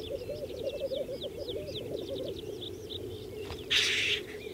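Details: Black grouse lekking on Saaremaa in spring 2014 give a faint steady low bubbling under a line of other birds' twittering notes, with one brief hissing burst near the end.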